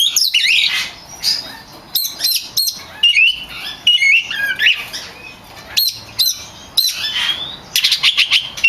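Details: Champion oriental magpie-robin, known locally as kacer, pouring out a varied song for training birds: sweeping whistles, brief sharp notes and scratchy fragments strung together almost without break.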